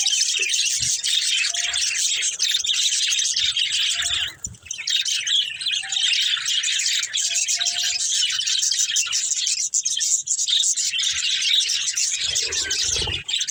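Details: Budgerigars kept as pets, several birds together in a family group, chattering continuously with dense high twittering and warbling chirps, overlapping calls filling the clip with no pauses, a few faint low knocks in the background.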